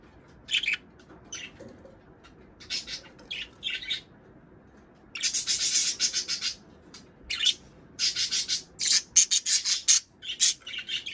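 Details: Budgerigars chattering to stimulate mating and laying; scattered early chirps give way to a long, busy stretch of harsh, rapid squawks and chirps that continues almost to the end.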